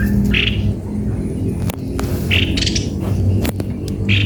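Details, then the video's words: Cucak kopi-kopi with three isolated harsh notes, interspersed with clicking and tapping sounds over a low hum. "Baru tahu!!!!!ternyata begini suara burung Cucak kopi - kopi"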